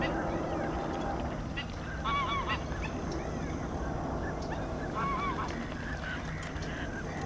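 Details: Bar-headed goose giving nasal, slightly wavering honks in two short bursts, each of several quick notes, separated by a few seconds of steady background rumble.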